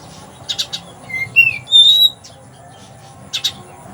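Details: Caged oriental magpie-robin imitating a sparrow, from Palembang, Indonesia: short scratchy chatter notes, a series of rising whistles climbing to a bright sustained whistle, and a final pair of chatters.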